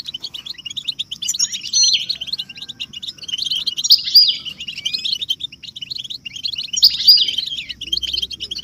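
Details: Goldfinches twittering together, with mating and readiness calls meant to rouse caged males into singing; rapid high chirps run continuously, with louder rising and falling flourishes near two, four and seven seconds.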